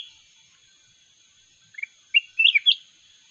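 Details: Wild red-whiskered bulbul in a singing contest gives a short rapid run of sweet slurred whistles near the end, over a constant high steady tone.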